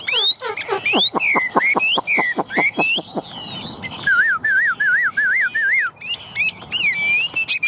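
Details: Caged Chinese hwamei in Vietnam, tail fanned and wings raised, sings loud whistles: a run of about a dozen sharp falling notes, then a wavy warble repeated six times, ending in high sustained whistles.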